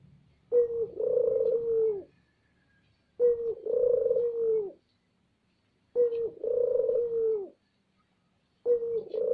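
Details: Barbary dove calling loudly, recorded as a lure call to stir other doves to call: low, clear two-part coos, a short note then a longer steady hum, each lasting about one and a half seconds and repeated roughly every three seconds in a quiet setting.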